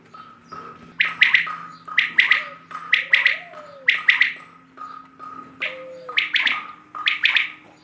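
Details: A quail repeats a quick, ringing three-note call roughly every second, very regular and punchy, with a steady faint whistle-like tone and low hum behind it.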